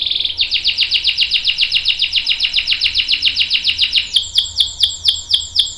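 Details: Domestic canary singing its long roll, used as a lure and master for juvenile and adult canaries: a sharp opening trill, then a long fast run of repeated notes that slows toward the end.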